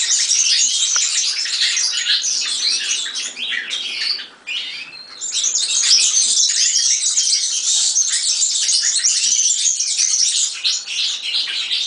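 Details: Continuous high-pitched jingling of a European serin, a rapid tumble of squeaky, buzzy notes with only a brief dip in intensity near the middle.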